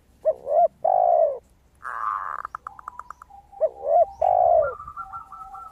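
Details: Zebra dove in full song, described as a crystal-voiced singer used as a lure for other doves: a rapid run of clear, evenly pulsed notes with a sustained tone, preceded and followed by deeper, louder bubbling coos from another dove.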